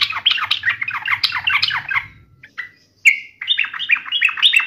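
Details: Yellow-vented bulbul taunting an opponent: a dense burst of harsh, scratchy chatter fades out, then a sharp note leads into a bright, bubbling whistled run.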